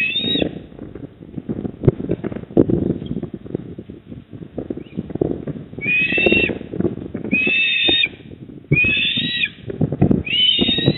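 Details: Eastern osprey calling from its nest at Port Lincoln, South Australia, 19:26 on 28 October 2024. After several seconds of heavy wind rumble, four piercing whistled squeals come roughly a second apart.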